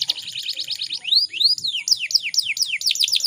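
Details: Female canary in breeding condition, used to prompt males to sing: a fast high trill of about ten notes, then arched, rising and falling whistled notes repeated several times a second.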